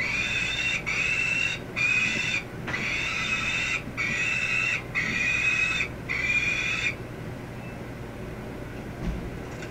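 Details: A 27-day-old peregrine falcon chick in a nest box, jumping up to the front perch for the first time, gives seven harsh, raspy screams of about a second each over a steady low rumble; late May morning.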